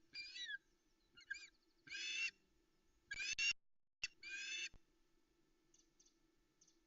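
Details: Loch Arkaig osprey female on the nest at dawn awaiting a brown trout delivery: scattered harsh, high squealing calls in separate bursts, with quiet gaps and faint background between.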